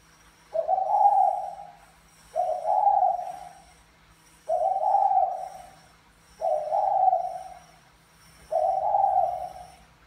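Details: Spotted dove of the Mã Phấn style, a male courting a Bài Lối style female: five low, hoarse, drawn-out coos, each swelling then fading, spaced about two seconds apart, over a faint steady high-pitched hiss.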